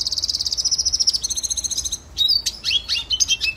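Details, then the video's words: Red siskin song used as a training song: a long run of rapid high trills for two seconds, then a gap and sharp descending and rising whistled notes and chirps. "Red Siskin Singing Training Song - Canto Pintassilgo venezuelano"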